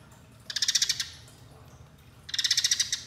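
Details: Eurasian tree sparrow fighting call for luring birds, two short bursts of dense, buzzy chirps, each roughly half a second, separated by over a second of near silence.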